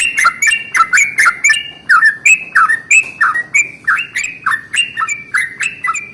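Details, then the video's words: Morning song of a Yellow-vented bulbul in the long-roll 'ropel panjang' style, meant to provoke rival bulbuls to sing: loud liquid chirps in quick phrases that slur downward, with short breaks between bursts. "SUARA trucukan ROPEL PANJANG pagi hari | Rajanya bikin trucukan lain gacor"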